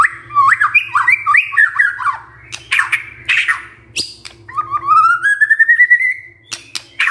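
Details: White-rumped shama (murai batu) used as a lure to provoke other birds into singing their full repertoire. It gives a loud, varied song of rapid, stepped warbling phrases, then a long rising trill of repeated notes, with sharp clicks between phrases and a faint low hum.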